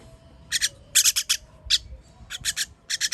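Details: On 21 June 2023 chicks being fed give harsh, rasping begging calls in close pairs and triplets, loud and scratchy, with a faint steady hum beneath.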